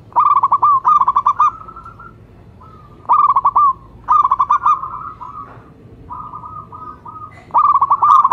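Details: Local zebra dove (perkutut lokal) in full voice: repeated bursts of fast, stuttering coos, each rounded off by a held note, with a quieter dove answering in evenly spaced soft notes.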